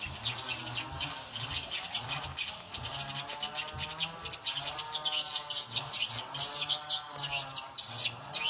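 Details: Played to draw edible-nest swiftlets, lure at nine o'clock volume: quick, thin, high twitters coming in rapid irregular pulses, growing busier toward the end, over a faint low hum.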